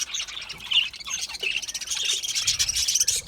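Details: Aviary budgies keep up a rapid, dense warbling chatter of high chirps and trills from several birds, with faint low rumble.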